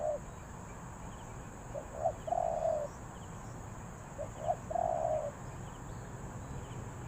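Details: Distant spotted dove: two soft phrases of short notes, each ending in a drawn-out coo, half masked by broad background noise and a steady high hum.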